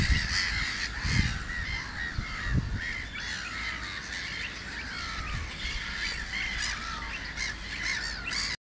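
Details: On a summer walk, pied avocets give a constant chorus of short, fluty 'kluit' calls from several birds at once, with low wind rumbles in the background.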